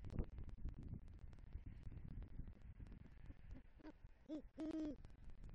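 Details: At a Southwest Florida nest tree in November 2023, a male great horned owl arriving with a rodent calls for the female: after quiet rustling, a few rising low hoots end in one longer deep hoot.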